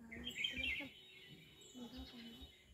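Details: A bulbul in a bael tree gives a burst of bright, chattering chirps, then quieter notes; a low voice murmurs in the background.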